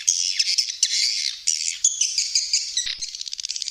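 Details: Continuous high, twittering swiftlet chatter with thin whistled notes woven in, ending in a quick run of rapid ticking pulses.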